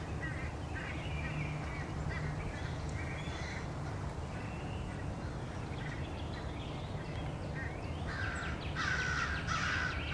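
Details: A crowd of American crows harassing a male bald eagle at its nest, 30 March 2016, the eagle trying to hide and fend them off: scattered harsh caws, a louder burst of grating calls near the end, steady low background noise.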